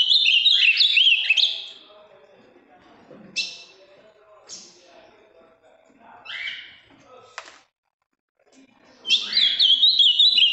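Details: Large, vivid blue ultramarine grosbeak from Minas Gerais sings two loud warbled whistling phrases, one at each end, with several brief chip-like notes and quiet gaps between.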